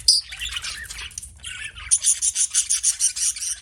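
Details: Pet budgerigar chirping: a loud squawk, a brief warble, then a rapid even series of bright clicking notes, about five per second.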